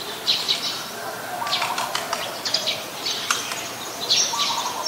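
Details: Eurasian tree sparrow, Ubon Ratchathani, Thailand, 10 May 2020: quick, piercing chirps come in pairs and short clusters amid a noisy, many-voiced bird background.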